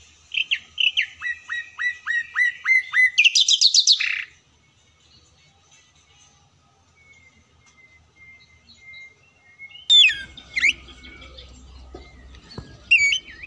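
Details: A singing oriental magpie-robin in full song, meant to provoke rivals, opens with a fast run of sharp downslurred whistles, then a harsh buzzy burst, a long thin whistle, and scattered loud chattering phrases after a pause.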